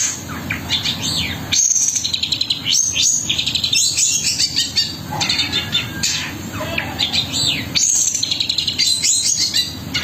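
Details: Long-tailed shrike, a 'gacor' singer with rich fill-ins, delivering a dense, varied song of harsh notes, sharp rising and falling whistles and rapid rolled bursts, over a steady low hum.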